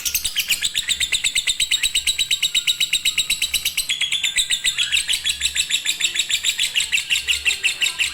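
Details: Lovebird in fighter or konslet singing style, used as a master recording to stir birds reluctant to sing: fast, high chattering trill of sharp repeated chirps, nearly three per second, running unbroken for eight seconds with a faint low hum beneath.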